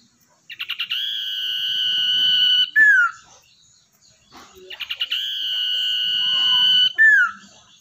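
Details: Two matching phrases from a captive, wild-caught common iora kept as a lure bird, each a burst of stuttered notes, an extended flat high whistle, and a sharp downward slurred ending.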